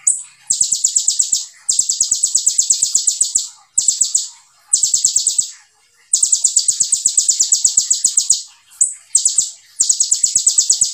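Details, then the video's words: Kolibri ninja (olive-backed sunbird) singing long, dense, high-pitched machine-gun trills in the tight 'tembakan rapat' style, each burst lasting one to two seconds, separated by short gaps and occasional lone whistled notes. "KONIN GACOR FULL TEBAKAN RAPAT SEJALUR"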